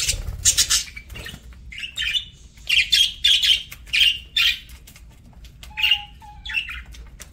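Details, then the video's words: Pet parakeet at its meal, uttering separate scratchy chirps and short warbled notes in bursts, gaps between calls, with a soft low whistle-like tone midway. "PARAKEET EATING SOUNDS"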